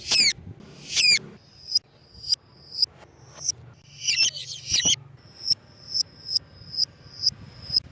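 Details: A lovebird, used to lure others, gives a few harsh screeches and a shrill tangle of notes, then a steady run of thin piercing chirps about twice a second.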